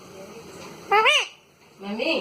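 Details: Talking pet parrot in a small room, saying one sharp arched word, then a pause and another rising phrase, like "Mummy" repeated in a human-like voice.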